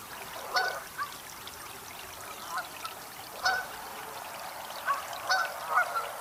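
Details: Canada geese (Branta canadensis) give loud, nasal honks at an irregular pace, several in quick succession, over a faint trickle of water.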